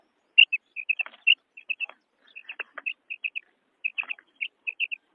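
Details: Female quail, with its Bedana Sayrashi calling: short high chirping notes in twos and threes, repeated quickly with uneven spacing, mixed with faint clicking and scratchy broadband ticks.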